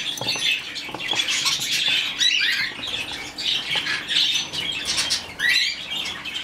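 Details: Rescued, hand-fed budgerigar chick giving raspy, scratchy chattering calls in dense bursts lasting up to a second, separated by short pauses, with a faint steady low hum underneath throughout.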